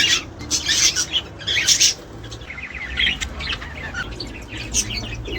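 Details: Budgerigar warbling used to prompt mating and breeding: loud chirps and rolling warbled phrases early on, softening into quieter scattered twitters, with a low hum.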